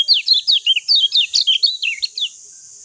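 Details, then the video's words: Bright, rapid twittering from a lemon-bellied white-eye: about a dozen high notes that swoop up and down in quick succession, fading out after two seconds. "JOS GESIT SUARA JERNIH ALAMI BIKIN KECIAL KUNING CEPAT RESPON"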